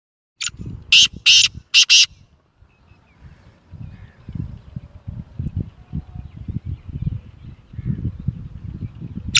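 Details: Black francolin (Kala Teetar), described as a Gangas Sheedi Lakka cross, nasal-voiced bird: a short harsh opening note then three loud grating rasping notes, followed by quiet low rumbling background noise and one final note.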